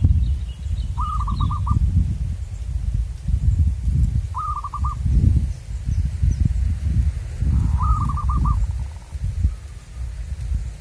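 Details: Local wild zebra dove, of the kind caught by decoy trapping, sings three short cooing phrases of quick stuttered notes about three seconds apart, over steady low rumbling wind noise.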